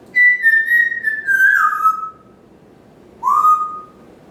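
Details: Pet parrot in a home kitchen and dining area, morning routine: a long whistle gliding slowly downward in steps, a pause, then a shorter rising whistle leveling off.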